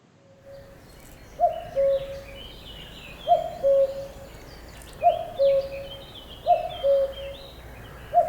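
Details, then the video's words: Common cuckoo, heard as a sign that summer is on its way; the classic two-note cuckoo call, a higher note falling to a lower one, repeated about every two seconds, with other birds singing faintly behind. "As soon as I hear that cuckoo, I just know that summer's on its way."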